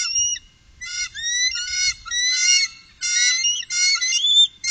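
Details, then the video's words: On the Upper Mississippi in 2018, a trio of bald eagles trades high, thin whistled squeals: a lone note, then several long chattering phrases with rising glides, in an otherwise quiet setting. "Trio Bald Eagle"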